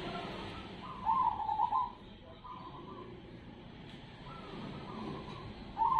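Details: Zebra dove of the cemani type singing in the ketek-dobel rhythm style: soft, hollow coo phrases with a fluttering quality, one around the first second and another near the fourth, over a steady background hiss and low rumble.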